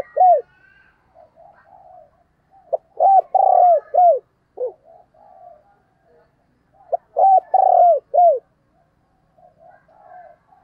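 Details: Spotted dove used as a decoy, calling to lure wild doves: loud hollow coos in two phrases, each a rapid cluster of arched, rising-falling notes followed by softer trailing coos, with quiet gaps between.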